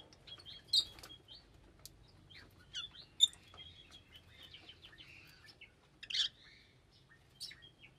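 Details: Scattered lovebird calls: thin high chirps and short squeaky whistles spaced irregularly, with a couple of loud sharp bursts, in an otherwise quiet setting.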